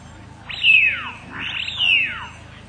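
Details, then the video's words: Eurasian wigeon calling out on tidal flats at first light as the tide creeps in: two clear, falling sliding 'whee-oo' whistles about a second apart, over a faint low rumble of swirling water. "out there you can hear the widgeon calling."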